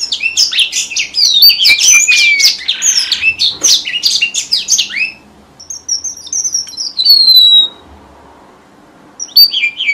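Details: Red avadavat lure song for trapping birds: dense, loud high twittering with rapid chirps and whistles and a buzzy patch, then a pause, a few descending high whistles, and more twitter at the end.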